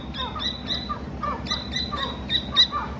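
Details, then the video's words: Dakni teetar partridge chick chirping naturally: short, sharp high chirps repeated about four times a second, some soft lower notes between them, over a faint steady high whine and low background hum. "Amazing and Real Chirping Sound of Dakni Teter Baby"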